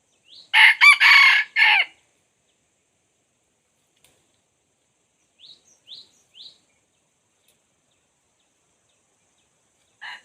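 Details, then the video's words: Luring wild red junglefowl with a decoy: a loud four-part crow in the first two seconds, then silence broken by three faint high chirps and a brief distant note near the end. "dib qaib qu tuaj zoo Kawg li ต่อไก่ป่าเข้าดีมาก"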